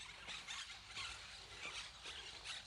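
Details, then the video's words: Many parrots heard in town near the station of Pueblo Andino, Santa Fe, Argentina: a dense chorus of shrill, squealing chatter, overlapping harsh notes pulsing about twice per second with no pause. "Se escuchan muchos loros."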